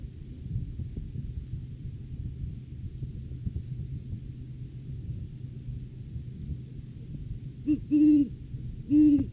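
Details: Great horned owl pair visiting their nest tree in January courting season, captured on a live cam; after long rumbling background, two deep hoots arrive near the end, roughly a second apart.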